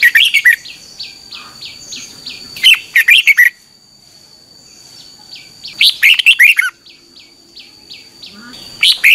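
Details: Red-whiskered bulbul singing in the morning in 2021, a recording meant for training birds: rapid runs of short uniform chirps end in loud, rich warbled phrases, repeated about every three seconds, with a constant thin whine behind.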